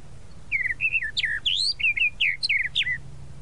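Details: A tropical mockingbird, called sabiá-da-praia, sings a lively run of about ten varied whistled notes, many sharply falling, delivered in quick succession with a faint low hum behind.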